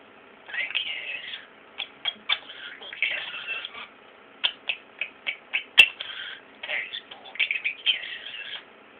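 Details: A pet European starling kept indoors mimics speech while interacting with its owner: bursts of clicks, raspy chatter and short warbled phrases, interleaved with the owner's affectionate talk about kisses and being a pretty bird.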